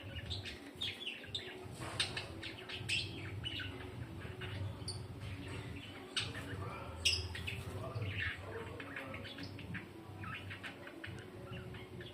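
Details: Farmed lovebirds, dun fallow type, chattering in a busy flock with many short, sharp, high chirps scattered irregularly, over a steady low mechanical hum.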